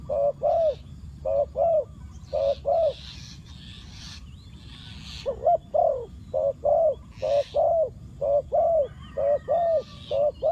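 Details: Spotted dove used as a decoy, cooing to attract wild doves; soft hollow coos in twos, a three-second pause, then a steady run of paired notes about once a second, light bird chirps in the background.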